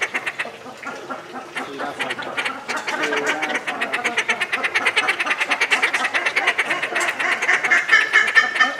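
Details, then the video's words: Captive Inca terns calling at length at Tama Zoo, Japan, in July 2019: raspy, quacking chatter starting sparse, then swelling into a steady rapid stream of harsh notes over faint background voices. "鳴きまくるインカアジサシ （多摩動物公園）Inca Tern Call"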